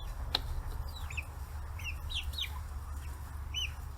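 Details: Forty-day-old chicks kept free-range in Kitahiroshima, Hiroshima, Japan, gathering around fish heads; several loud arched high peeps in small bursts, a sharp click near the start, and a continuous low rumble.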